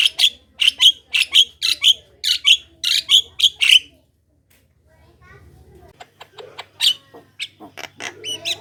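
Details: Javan myna singing energetically, a lure recording meant to draw other Javan mynas into song: a run of harsh, buzzy notes repeated about twice a second for four seconds, a short pause, then sharper clicks and squeaks over a low steady hum.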